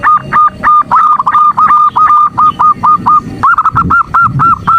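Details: Female zebra dove calling a male to provoke him, used as a morning session: steady staccato hoots at a clear mid pitch run into rolling, burred trill notes, then back to quick clipped hoots, with no break.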